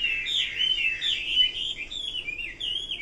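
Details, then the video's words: Short burst of Chinese hwamei song: sweet, slurred whistles running together in a lively, wavering phrase with a few pure sustained notes. "Kicau burung Hua Mei"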